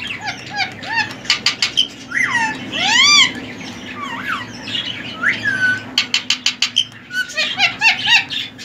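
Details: Pet male ring-necked parakeet, three years old, semi hand tamed, said to whistle and copy a cat and koel: harsh repeated calls, arched ringing whistles and bursts of rapid notes.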